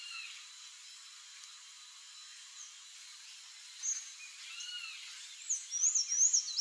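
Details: A wild Sayaca tanager gives a quick run of thin, high, squeaky notes after a few quiet seconds, rising to a sharp twittering burst at the end.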